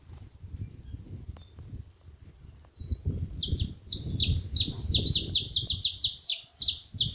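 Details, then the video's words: Saffron finch delivering a rapid string of sharp, high, downward-slurred notes, some doubled, repeated quickly for about four seconds over low background rumble. "Canário da terra fazendo barulho na seva"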